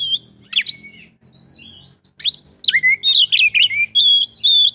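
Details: Oriental magpie-robin song packed with mimicked phrases: clear high whistles and sliding notes, harsh bursts, then a lively run of varied whistled phrases, over a low background hum.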